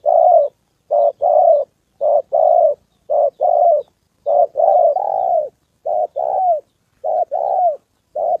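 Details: Decoy spotted dove in Gia Lai, Vietnam, during a trapping session that drew in a wild fighting male and a female; repeated two-part coos, short then sustained, roughly once a second, some later notes curving downward.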